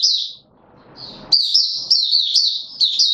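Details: Male white-eye in opening song on 31 December 2021, a kept bird pushed into form: high, thin twittering warble in fast, rolling phrases, mostly continuous after a brief pause and a soft rustle.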